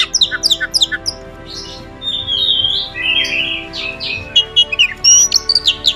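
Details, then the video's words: Oriental magpie-robin, known as kacer, sings quick clipped whistles, then a slower stretch of buzzy, warbling notes, and ends with another burst of sharp high chirps and a clear rising whistle. "burung kacer ajaib"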